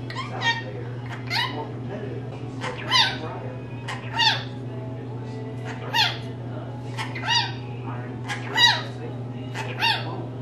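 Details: Captive female rainbow lorikeet talking: a run of short, raspy speech-like syllables and squawks repeated about every second, each burst sharp and harmonic-rich, against a steady background hum.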